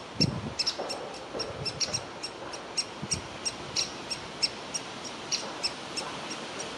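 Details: A woodpecker youngster calling from its nest hole to be fed; crisp high-pitched notes repeated roughly every third of a second, with a few low knocks early on.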